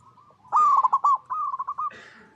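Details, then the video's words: Zebra dove song from its natural habitat, used to lure other zebra doves to sing: a loud, rapid stutter of coos, then a softer, evenly spaced run of pulsed notes, ending in a brief rougher sound. "Perkutut Lokal Gacor Suara Paling DiCari Untuk Pancingan Semua Burung Perkutut Agar Bunyi"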